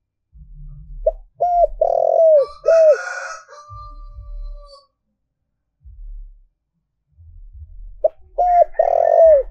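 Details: Lure spotted dove giving its provoking coo to draw wild doves: a quick phrase of short rounded coos with a longer middle note, a faint high chirp and hum, low knocking, then the phrase begins again.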